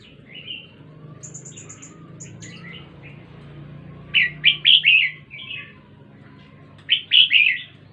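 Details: Red-whiskered bulbul from Jenderam singing two separate bursts of bright, tumbling chirped notes, three or four quick syllables each, a few seconds apart, after softer warbles and a short high ticking run early on; faint low hum underneath.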